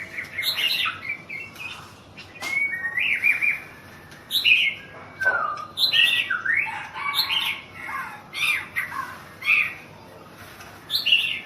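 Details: Song of a Thailand national champion White-rumped shama: energetic whistled and chattering phrases repeated about every one to two seconds, mixing rising slurs with harsh high notes.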